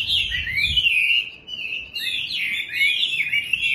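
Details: Caged Chinese hwamei kept at home, singing in the morning: loud, rich, high whistled phrases sweeping up and down in fast varied runs, nearly continuous with a brief pause midway.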